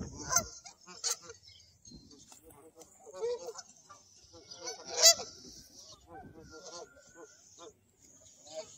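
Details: Flock of Canada geese heading overhead at Pier 4, honking in quick, uneven bursts, each honk a harsh, ringing note. Several birds call over one another above a persistent high-pitched hiss.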